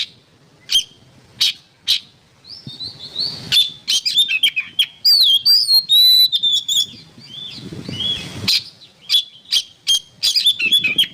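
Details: Oriental magpie-robin song used as training material for songbirds: whistled phrases mixed with sharp, harsh clicks and chips. Rich, warbled notes fill the middle section, then scratchy notes repeat quickly toward the end.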